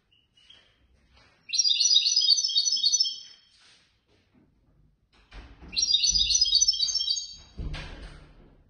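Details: Competition European goldfinch that won third place at a Casablanca bird lovers' contest singing two fast, jingling twitter runs about one and a half seconds each, with soft knocks and handling noise near the end.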